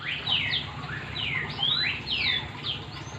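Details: Oriental magpie-robin song for prompting other magpie-robins to sing: a steady stream of sweeping whistles, some rising and some falling, heard more distantly through strong hiss and low rumble.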